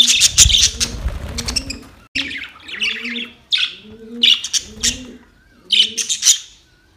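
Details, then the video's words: Budgies chirping to each other: bursts of bright, scratchy chatter high in pitch, interleaved with a low, soft cooing repeated several times, like a dove in the background. "Budgies talking to each other"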